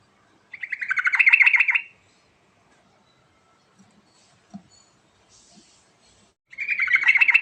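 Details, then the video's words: Energetic singing from a yellow-vented bulbul, played as a lure for birds that have gone quiet. One rapid, gurgling burst of many notes, a long quiet gap with faint clicks, then another bubbling burst begins. "Suara Asli Trucuk Gacor Isian Istimewa Cocok Untuk Pancingan Trucuk Macet Bunyi"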